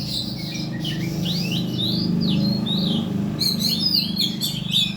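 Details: Oriental magpie-robin song for luring birds to sing. Downslurred and upslurred whistles come at an irregular pace, then turn into a quick stuttering burst of high chips near the end, all over a noticeable low rumble.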